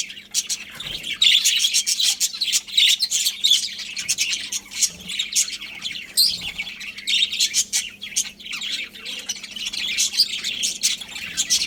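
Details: A budgerigar colony in continuous chatter: many overlapping scratchy chirps and squeaks without pause, getting louder after the first second, with a low electrical hum underneath.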